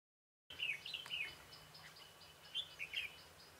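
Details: Red-whiskered bulbul recorded on 21 March 2018 during trapping with a decoy bird; a brief burst of bright, warbled whistled phrases, two short clusters separated by a pause, over a low steady background hiss.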